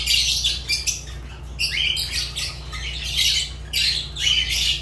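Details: Fischer's lovebird, a pet, giving loud, piercing, harsh squawks in dense bursts, some with a rising squeaky note, nearly unbroken calling over a faint low hum.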